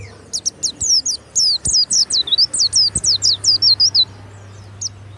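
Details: Loud warbling white-eye (pleci), a kept songbird, delivering a rapid run of high, sharp, downslurred and twisting chirps in quick succession, with a low background hum.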